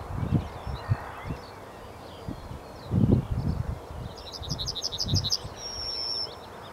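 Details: A yellowhammer sings a rapid string of about seven high, ticking notes and then a sustained thin final note. The song is fainter here, behind loud low rumbling noise.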